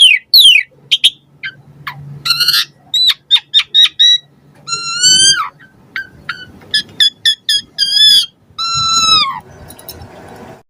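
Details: Asian pied starling delivering a varied song meant as a lure for captive starlings: sharp clicks and chips, repeated short whistles, and several long harmonic whistles that curve downward, over a faint steady low hum.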